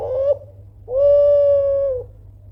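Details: Kelantan-style spotted dove giving a loud call meant to provoke an answer from rivals. A clipped coo is followed by one long, smooth, steady coo lasting about a second. A low background hum is present.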